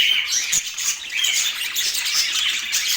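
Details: Pet budgerigars in Portland: dense, continuous high chirping and twittering with short bright whistled notes layered over a busy chattering background, steady in loudness throughout.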